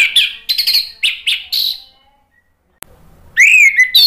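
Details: Orange-headed thrush, known locally as anis merah, singing loud energetic phrases meant to provoke other birds into song: bursts of sharp chirps and short rich whistles, a pause with a click, then varied high slurred notes.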